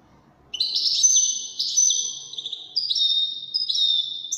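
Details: Song of a Wedani goldfinch: after half a second of quiet, a run of high, sweet twittering notes with sliding whistles and short buzzy trills carries on for nearly four seconds.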